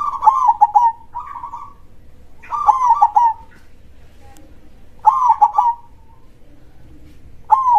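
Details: Local zebra dove (perkutut) singing a big-voiced krosing song. Rolling, trilled coo phrases come in pairs, separated by quiet gaps of one to two seconds.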